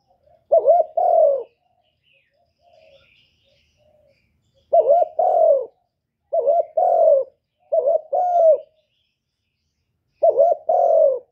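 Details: Spotted dove, recorded in 2023, coos steadily over eleven seconds: five phrases, each a wavering short note joined to a longer falling coo, with short silent gaps.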